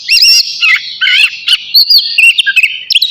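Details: Short burst of navy oriental magpie-robin song before bathing, with harsh, buzzy whistled notes followed by quick sweet chirps and slurs.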